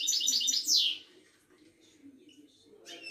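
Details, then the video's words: Moroccan ouidani European goldfinch at a market in Casablanca. A quick burst of high, twittering notes ends in a descending slur, followed by a quiet pause and a fresh twitter starting at the end. "طائر المقنين الزين او الحسون الويداني"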